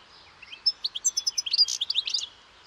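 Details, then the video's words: European goldfinch twittering in a brief, rhythmic burst of high, tinkling notes lasting about two seconds over light background hiss. "O canto do PINTASSILGO/GOLDFINCH SONG (Carduelis carduelis)"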